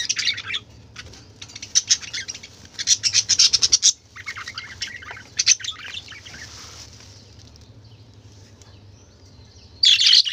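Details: Budgerigars, colourful caged birds, give rapid buzzy chirp trains and warbling bursts, fading to quiet chatter before a sudden loud burst at the end, with a low hum behind.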